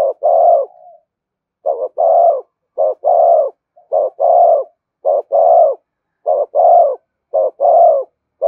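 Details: Spotted dove giving thúc gù cooing, used to stimulate decoy birds: paired mellow low coos, a short note then a longer one, repeated about once a second in steady phrases, clean with no other sounds.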